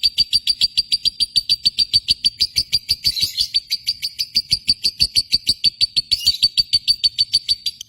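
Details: Indonesian lovebird delivering continuous josan song: loud, rapid, evenly spaced high chirps, about three per second, over a bright sustained whistle, with brief scratchy bursts in between.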